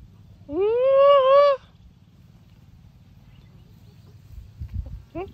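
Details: Chicken on a chicken farm giving one loud, drawn-out, harmonic-rich call that rises and then holds steady for about a second, followed by a low steady hum and a few faint short calls near the end.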